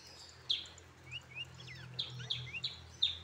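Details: Tame, hand-raised brown-throated sunbird kept as a pet, giving sharp high chirps and thin rising and falling whistled notes in irregular bursts, with a steady low hum underneath.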